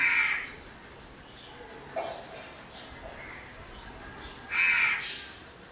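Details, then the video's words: Two harsh caws from a crow about four seconds apart, with faint softer sounds between and a quiet outdoor background. "Crow bird sounds or noises."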